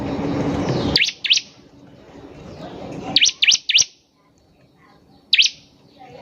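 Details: Bar-winged prinia (ciblek), a lively singing bird: short sharp chirps in a pair, then a quick run of three, then one more, high and clipped; a burst of broadband noise precedes them.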